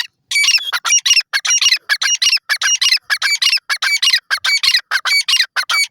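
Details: Grey francolin (dakhni teetar) from Pakistan giving a fast, steady series of harsh, squawky notes with high ringing overtones, about three each second, loud and close throughout with no other clear sounds.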